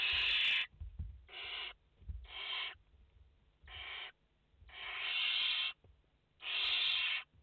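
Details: Barn owl nestlings, five together, 29 August 2021: harsh breathy rasps, some short and paired, others drawn out to a second, spaced unevenly.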